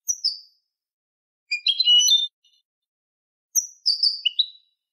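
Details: Canary in malagueño song, recorded as training material: separate high whistled notes, then a dense warbled burst, then more downslurred whistles and one lower note, with silent gaps.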